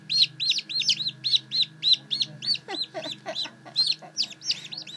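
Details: Newly hatched blue Silkie chicks peeping: sharp, downward-sliding high chirps repeated about three to four times a second, overlapping in the middle, with a steady low electrical hum behind.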